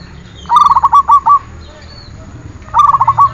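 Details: Zebra dove song from a training recording: a phrase of rapid, evenly pulsed cooing notes at mid pitch, heard twice, with a quiet pause between the bursts.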